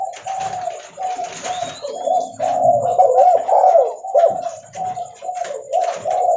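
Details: Spotted dove, derkuku leopard, calling often and loudly while walking; repeated low, hoarse coo phrases roughly twice a second, with faint squeaky sounds behind.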